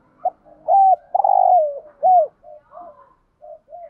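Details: Spotted dove cooing, a full song set meant to stimulate other doves: a short note, then a steady hooted coo, a long buzzy drawn-out coo sliding downward, an arched coo, and softer trailing notes.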